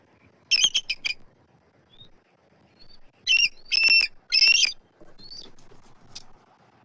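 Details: Both adults of a Southwest Florida eagle pair vocalize from the nest tree on 12 March 2024 while an immature eagle circles overhead; bursts of shrill, squawky, harmonic chitters come in two clusters with faint thin notes between.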